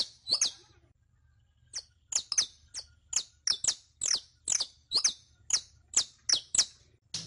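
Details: Captive-bird training song of the saffron finch (canario criollo): after a brief pause, crisp high chip notes follow at a brisk, fairly even pace of about three per second, each bright and slurred downward, over a soft background hum.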